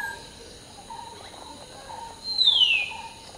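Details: In the morning chorus, a common hill myna sings while preening: one bright, descending whistle rings out near the end after quiet background chirping. A steady buzz of insects runs throughout.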